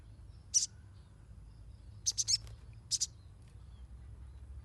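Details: Crimson sunbird recording played as a lure to stimulate young, untrained captive birds: short, very high, sharp chirps given singly and in a quick triple burst, separated by pauses, over a steady low hum.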